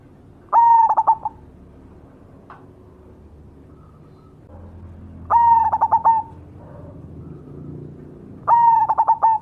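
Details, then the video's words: Singing cemani zebra dove. Three full phrases, each a strong drawn-out coo followed by a fast burst of short pulsed coos, spaced roughly four seconds apart. Fainter cooing notes sound between phrases against steady low rumble. "suara burung berkutut cemani gacor mangung"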